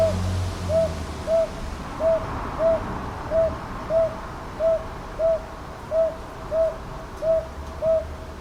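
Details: Northern boobook, Ichijoji in Kyoto's Sakyo Ward, Japan, recorded 22 May 2023 on a TASCAM DR-100MKIII; twelve round, mid-pitched hoots in regular twos, preceded by a brief low rumble, steady background hiss throughout.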